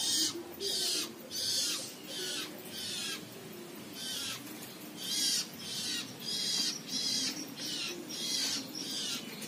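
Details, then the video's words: A young long-tailed shrike outside its cage, later sleeping on a roof tile, gives harsh, raspy, high-pitched scratchy bursts, about one every two-thirds of a second, over a faint low hum. "Anakan Cendet Konslet Gacor"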